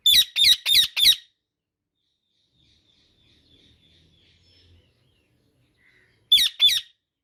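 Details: Indian ringneck parakeet giving a rapid burst of four harsh, raspy squawks, a long near-silent pause, then another quick series of grating screeches at the end.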